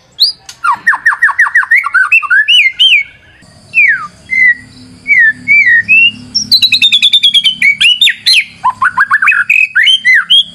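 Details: White-rumped shama singing for use as a lure, with rapid rising whistled notes, slurred warbling phrases, then a fast buzzy trill and more looping whistles.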